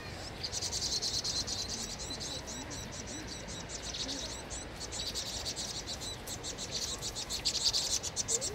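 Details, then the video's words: Vinous-throated parrotbill giving distress calls while under attack by a Eurasian jay: a steady stream of sharp, high chipping notes, roughly three to four per second, with a man's voice faintly underneath. "어치새의 붉은머리 오목눈이 공격.오목눈이 비명소리 전쟁중"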